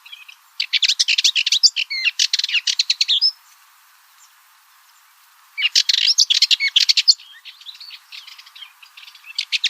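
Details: Two long bouts of harsh, rattling Cyprus Warbler song separated by a silent gap of about two seconds, each bout ending in softer, thinner twitters.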